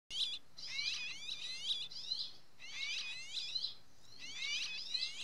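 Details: In Spain in June, a Rock sparrow chick inside its nest, being fed by the female, gives rapid, high, rasping begging notes in urgent, jumbled bursts.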